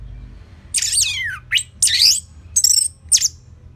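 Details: Orange-headed thrush singing a lively, slow-paced song used as a lure to train other cage birds: a loud run of high, varied phrases, with long downward sweeps followed by short bright whistled bursts. The background is quiet.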